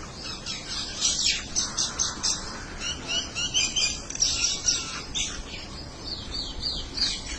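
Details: Several birds calling back and forth, described as talking with each other: a dense chorus of rapid, high, sharp chirps and twitters overlapping continuously, with steady background hiss.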